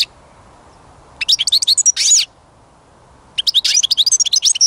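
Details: Tinkling twittered phrases of a European goldfinch, a quick run of high notes with a buzzy flourish, then another busy burst of chirps.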